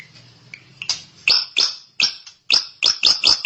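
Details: Drongo (Srigunting) giving loud, sharp, ringing notes repeated roughly every third of a second, each a bright metallic burst, over faint low background hum.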